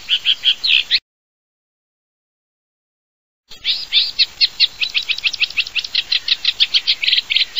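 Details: Eurasian reed warbler song in Europe, from the Jura: rhythmic chattering series of harsh, clipped high notes repeated several times a second, broken by a silent gap.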